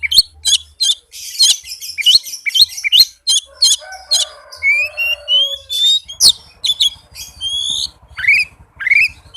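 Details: Oriental magpie-robin's rapid 'speed rapat' song as a lure for shy singers: fast sharp chirps, then a series of long thin rising whistles and a few loud upslurred notes.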